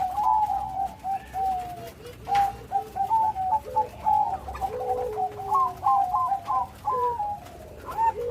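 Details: Bangkok-type zebra dove singing with a big voice and full rhythm: mid-pitched cooing notes in quick stuttering runs, some falling and some level, with a second lower cooing line overlapping partway through.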